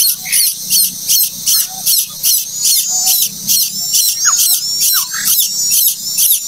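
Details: Late-hatched common koel chick begging: loud, high, hissy squeals repeated about two and a half times a second in a steady pulsing series, with faint low rumbling beneath.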